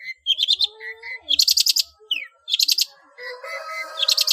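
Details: Long-tailed shrike in ngeplong full-fill song, kept as a training master for cage birds: short flat whistles alternate with harsh rattling bursts and a quick falling slur, in a varied, jerky medley.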